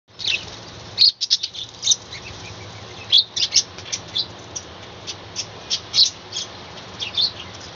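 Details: Budgerigars in a small colony kept on a balcony, chattering in the morning: bursts of high chirps and short warbled notes in quick irregular series, with a brief flutter near the start.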